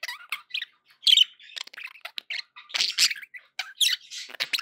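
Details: Pet budgerigars in dense, continuous chatter, mixing harsh squawks, squeaks and fast buzzy warbled notes, with one louder raspy outburst early on and busy overlapping twittering throughout.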